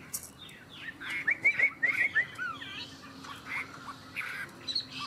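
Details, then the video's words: Chinese hwamei singing against a rival in a song contest between two unowned birds: quieter, broken bursts of short whistled slurs with pauses between the phrases. "Họa mi hót đấu"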